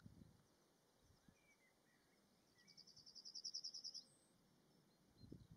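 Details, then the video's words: Yellowhammer song on a windy 27 June 2022 at Martins Down: a fast string of high repeated notes, building in strength over about a second and a half, closed by a short high note, with gusts of wind rumbling before and after. "yellow hammers at martins down 27/06/22.."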